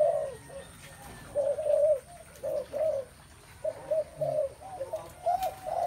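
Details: Spotted doves heard through a noisy background hum, giving soft paired and triple coos spaced a second or so apart, some louder, some fainter.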